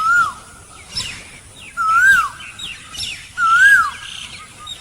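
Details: An Asian Koel in a tea garden in Assam gives three clear, mellow whistled notes, each rising then dropping, about every one and a half seconds, with faint chirps from other birds behind it.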